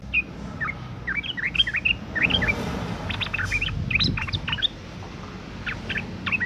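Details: Breeding female sooty-headed bulbul giving a call meant to draw males to sing; scattered short chirps and bright twittering notes in loose groups, over steady low background rumble.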